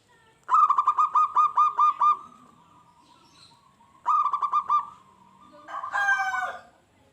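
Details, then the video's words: Zebra dove, a lively local singer meant to provoke wild doves into responding and attacking. Two fast runs of clipped cooing notes, each followed by a drawn-out coo, then a harsher, buzzier burst. "SUARA PERKUTUT LOKAL GACOR.BIKIN SALING SAUT EFEK SUARA PERKUTUT LIAR.JADI EMOSI"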